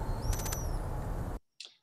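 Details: A Volcano hummingbird's courtship dive in Costa Rica: a thin, high, vocal whistle sliding up and holding, with a rapid stutter of three or four pulses made by tapered R2 tail-feather tips, over low rumbling noise.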